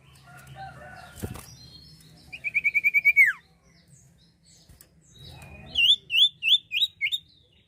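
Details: Song of the Common iora, used to lure birds: after a low knock, a rapid series of repeated clear whistles ending in a falling slur, then five looping, upward-flicking whistled notes spaced evenly.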